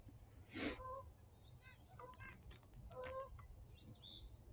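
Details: A nuthatch, heard from a deck by a river in the morning on May 3, gives short nasal notes in quick little runs that sound like laughing, with higher squeaky notes near the end over a low background rumble.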